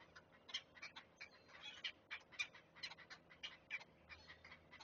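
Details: Great blue heron chicks at a Chesapeake nest, watched by a live camera as they are fed, give uneven bursts of harsh clicking notes, some with short squeaky overtones.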